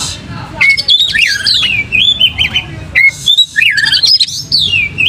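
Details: Oriental magpie-robin singing while opening its tail: repeated phrases of bright, wavering whistles, each beginning with a sharp upward note and separated by brief pauses.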